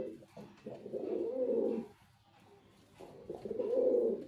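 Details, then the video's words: Two drawn-out, burbling coos from a male white pigeon, each about a second long, with a quiet gap between them. "Pigeon🕊️ Sound Effect 🔊 || Male Pigeon🕊️ Super Performance👍 || White Pigeon🕊️"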